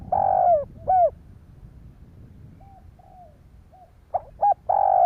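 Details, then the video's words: Spotted dove cooing to stimulate other doves: a long husky coo and falling note, a few soft faint coos, then short notes building into another long coo at the end. "Tiếng chim cu gáy kích bổi"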